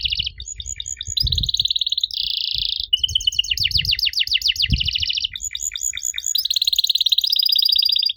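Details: Canary singing as a lure to make young canaries reply, a continuous run of fast trills, buzzy rattling tours and repeated swept notes changing every second or so, with faint low thumps beneath.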